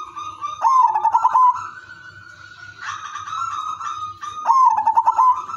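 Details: Zebra dove, udanmas silver, singing a melodious lure song to prompt other doves to join in. Its pulsed, stuttering coo opens and closes the passage, with drawn-out cooing from other doves filling the gap between.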